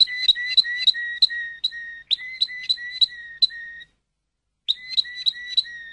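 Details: Malinois Waterslager canary song made of evenly spaced liquid, bell-like notes in two tones, a short pause near the middle, then the same bubbling pattern resuming.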